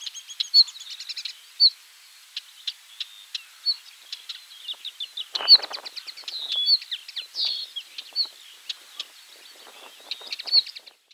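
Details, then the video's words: Common linnet singing at 51.880598, 20.116961; a lively, varied twittering of rapid chirps, short trills and buzzy notes, delivered in irregular bursts with brief pauses, against a quiet background. "Linnet singing / Makolągwa"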